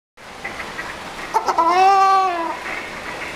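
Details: Ruddy shelduck calling as if in conversation: one loud, nasal, drawn-out honk with rich harmonics, slightly rising then falling, over a steady background hiss.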